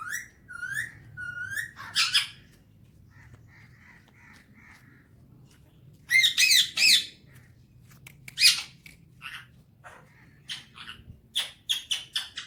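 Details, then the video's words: Alexandrine parakeet kept as a talking pet, enjoying the morning: chirpy whistled phrases and a run of soft repeated notes, then bursts of loud harsh squawks and scratchy chatter, indoors. "alexandrine parrot enjoying morning time"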